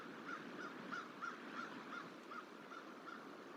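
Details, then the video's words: Crow calling while harassing a juvenile bald eagle feeding on a hatchery tree, trying to drive it off, late January: a fairly distant series of short caws, about three per second, over steady outdoor background noise. "Crow Protest Juvenile Eagle Eating On Hatchery Tree"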